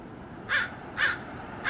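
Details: Crows mobbing a red-tailed hawk on a roadside in Del Monte Forest, California, give two harsh, hoarse caws half a second apart, with the start of a third.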